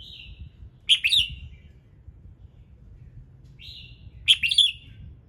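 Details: Red-whiskered bulbul's morning song to get other birds singing: a soft whistled lead-in followed by an emphatic chirpy warble, repeated twice about three seconds apart, with low hum underneath.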